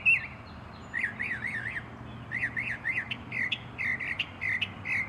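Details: Northern mockingbird singing: short phrases of rising-falling slurred notes, each phrase repeated three times before switching to a new one, with a few sharper clipped notes near the end.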